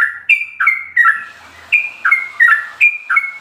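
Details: Sooty-headed bulbul in ropel song, recorded as a master for captive birds. A few falling whistled couplets come first, then a short break with faint background hiss, then more of the same slurred phrases.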